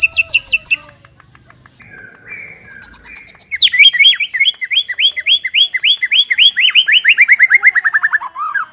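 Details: Master song of a white-rumped shama for training captive birds to sing, opening with rapid chattering notes, then a long run of quick repeated downslurred notes at a steady pace, ending in a short whistle.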